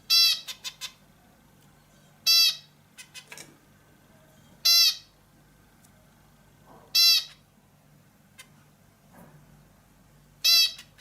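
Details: Bulbul giving short, harsh, nasal notes with strong overtones, one burst about every two and a half seconds, with faint clicks and soft ticks between bursts in a quiet setting.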